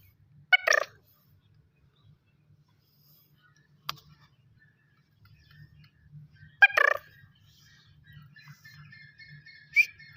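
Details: Young black francolin of a good breed, calling for the first time. Two short, harsh, grating bursts of notes about six seconds apart, with faint scattered chirps and a low steady hum underneath.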